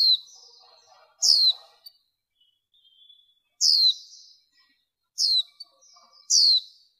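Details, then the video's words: A female warbling white-eye, used as a lure for males, gives four thin, high, down-slurred chirps, each under half a second, spaced one to two seconds apart, with faint background twittering. "Tiếng Vành Khuyên Mái"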